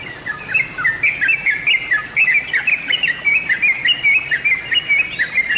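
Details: Dense, continuous yellow-vented bulbul song from a lure recording: rapid bubbling whistled notes tumbling up and down in pitch, pulsing several times a second without a break, with light background hiss.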